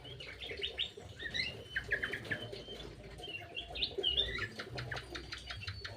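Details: Birds in an aviary squabbling noisily while being fed: a dense jumble of short, sharp chirps and tweets overlapping from several birds, with soft fluttering and pattering beneath.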